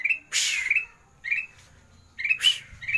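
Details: Ruby-throated bulbul (kutilang emas) master song in the sandang garigit style, used to coax reluctant caged birds into singing: short whistled notes alternate with two harsh, rasping, broad bursts of chatter across three seconds, with faint low background hum.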